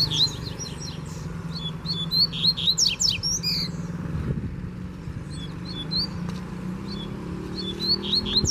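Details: A free seedeater known as coleiro flies in to challenge a caged rival in Brazil. Dense runs of sharp whistled slurs and rapid buzzy sweeps repeat steadily over a low engine drone.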